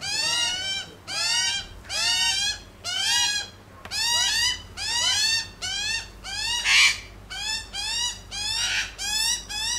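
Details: Australian magpies on a lawn, eating bacon: a steady run of squeaky, harmonic, downward-slurred calls repeated about every 0.8 seconds, each a bright nasal squeal, continuing without pause.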